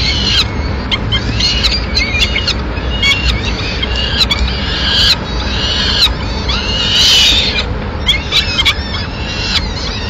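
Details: Peregrine falcon mother bringing food to her chicks in Madrid, 29 April 2016. Over ten seconds, a run of thin, rising-and-falling screeches repeats in uneven bursts, with sharp clicks and a continuous low background drone.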